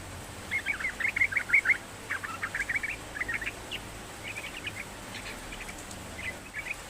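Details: Sooty-headed bulbul singing constantly, played to prompt a reluctant bird to sing: a loud run of fast chattering notes that softens into scattered, quieter bubbly clusters, with low background rumble.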